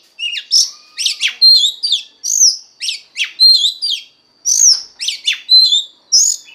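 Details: Female Oriental magpie-robin song used to excite the male, a busy run of varied chirps, slurred whistles and short trills, delivered in quick phrases with brief pauses.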